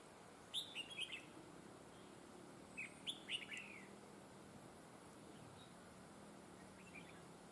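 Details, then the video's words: Red-whiskered bulbul decoy used in trapping, praised for a very fine voice with double linked phrases; two bursts of bright chirpy whistled notes around 0.5 and 3 seconds, each a quick run of four or five warbled syllables, then a faint later note over steady background hiss. "Bẫy chào mào GIỌNG CỰC HAY CÓ GIỌNG KÉP NỐI"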